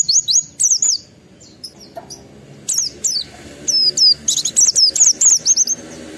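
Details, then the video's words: Excited white-eye singing a wild-style song meant to provoke other white-eyes into singing: rapid bursts of high, thin slurred whistles, each dipping then rising, clustered in quick runs separated by short pauses, with a faint low hum behind. "Pleci Mental baja EMOSI Tinggi ampuh mancing semua pleci segera gacor buka paruh"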